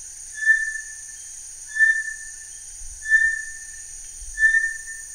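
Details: Bartlett's tinamou, number nine in a series of tinamou songs: pure, level whistled notes, each about half a second long, repeated steadily about every 1.3 seconds, over a constant high insect-like hum.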